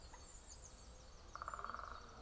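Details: Woodpecker heard in the morning beside the Grand Western Canal gives a quick burst of about ten evenly spaced, mid-pitched pulses lasting half a second, over thin high calls of other birds and low background rumble.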